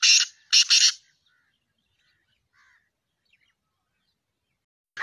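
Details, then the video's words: Black francolin, known locally as kala or Sindhi teetar, recorded 2-1-2024: three harsh, rasping broadband notes packed into the first second, then near silence with a faint note at the very end. "kala Teetar Ki Awaz Sindhi Teetar Ki Awaz Sindhi Teetar Black Teetarvoice Francolinvoice."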